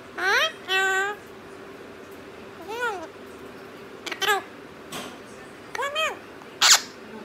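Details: Parrot talking in Punjabi: scattered short nasal, arched syllables with strong harmonics, a pair near the start and single or doubled notes later, separated by quiet gaps, ending with a sharp squeak.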